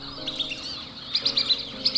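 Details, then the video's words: In NSW, Australia, at the southern limit of its range, a wandering whistling-duck stands among other waterbirds on a mudflat. It gives thin, high twittering whistles in bursts of four or five notes above a swan's muted, low droning call. "Above the muted call of the swan, you can hear the whistling duck's whistle."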